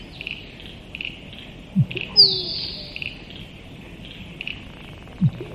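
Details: Musk duck giving a deep plop and then a sharp, descending high whistle, with a second low thump near the end, over constant high-pitched background chirring.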